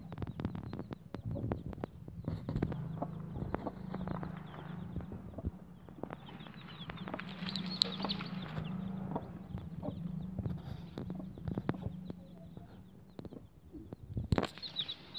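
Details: Bangkok chicken chicks being separated from their mother hen: low clucking runs on and off throughout, with faint thin high peeps scattered above, over thumping, rustling and brief wing-flapping bursts.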